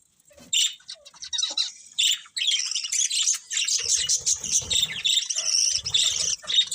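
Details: A group of budgies chirping, scattered sharp calls at first building into steady, buzzy high chatter with rapid squeaky notes.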